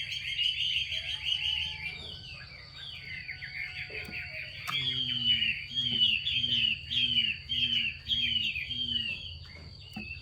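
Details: Chinese hwamei female calling to spur males into song: rapid jumbled warbling and slurred whistles running continuously, followed by a series of short repeated notes, with constant background hum.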